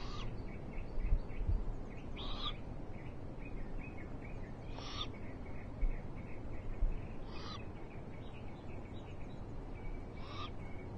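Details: Eurasian eagle-owls watched on a live nest camera, 21 March 2023, after rain and sun: five rasping, hissy screeches repeated roughly every two and a half seconds over steady background rumble, with faint small-bird chirps between.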